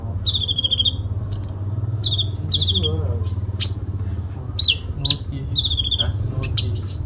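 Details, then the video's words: Sooty-headed bulbul delivering a fighting song full of fill phrases: clusters of high, harsh chattering bursts and clear whistled upslurs and downslurs, short pauses between phrases, with low background rumble throughout. "Konin Dacok full isian tarung"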